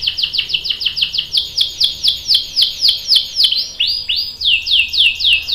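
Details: Female canary calling to prompt a male to sing, in the lively gacor style: a fast series of bright downward-sweeping whistled notes, about three or four per second, running steadily with a short change of phrase midway.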